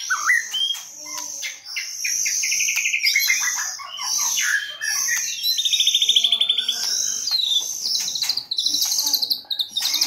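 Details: White-rumped shama song used as a lure to attract birds, from 2022: a dense, continuous run of varied phrases with whistled notes, rapid buzzy trills, and sharp chirps, mostly high-pitched, with almost no pauses across the ten seconds.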